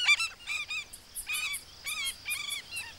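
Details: African skimmers sounding alarm while guarding newly hatched chicks from a monitor lizard; quick runs of short, harsh, nasal yaps, several per second, with brief pauses between bursts.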